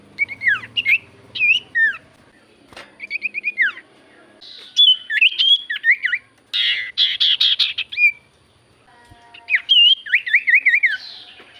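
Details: Javan white-eye lure to set other birds singing: a long, varied sequence of rapid zigzag whistles in short clusters, harsh rasping bursts midway, and a closing wavering trill.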